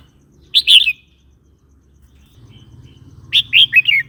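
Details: Red-whiskered bulbul singing, used to tease other birds and tutor chicks: a brief rich, bubbling whistled phrase, a pause, then a longer run of three or four descending liquid notes over faint background hum.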